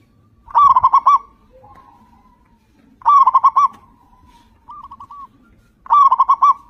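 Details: Loud local zebra dove song used to set other doves singing: three rapid, pulsed coo phrases roughly three seconds apart, with a quieter dove answering in the pauses.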